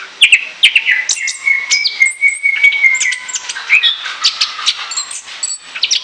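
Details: Chattering song of an Orange-headed thrush, meant as a lure: varied quick whistles and chips, then a long, steady, level whistled note lasting about two seconds, followed by mixed twittering phrases.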